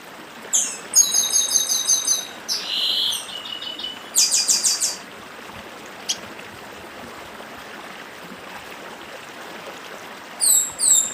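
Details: Papa-arroz do Nordeste, the chestnut-bellied seed finch, giving dedim song near a brook: several short bursts of high chattering, buzzy trills and slurred notes in the first half, then a long stretch of flowing water before a final brief phrase.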